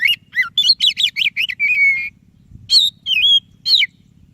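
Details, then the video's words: White-breasted Oriental magpie-robin singing vigorously to prompt a quiet bird: a fast string of about ten looping whistled notes running into a long flat whistle, a short pause, then several twisting, bright whistled phrases. "Suara Burung Kacer DADA PUTIHH Gacor cocok untuk Pancingan Kacer yang malas BUNYI."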